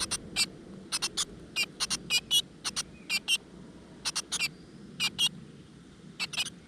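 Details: Great tit nestlings in a nest in a rock crevice, being fed insects by their mother. High, sharp calls sound in quick pairs and short clusters, repeated irregularly over a low background rumble.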